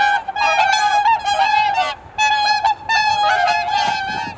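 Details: A flock of swans at Kotoku pond, Japan, calls before sunrise in the blue hour, recorded on a camera's built-in microphone: long, dense, bugling honks in three loud bouts separated by short gaps.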